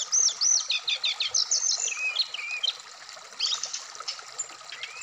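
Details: A kept Black-throated laughingthrush aired in the morning dew sings looping high whistles in quick series. Twittering notes follow, then fade into softer scattered chips over hiss.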